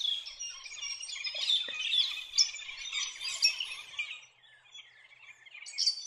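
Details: Metallic starlings, a migrant from New Guinea to Far North Queensland in spring, living in noisy forest flocks; dense overlapping high chattering and squeaky notes, many birds calling at once, fading briefly before a last burst.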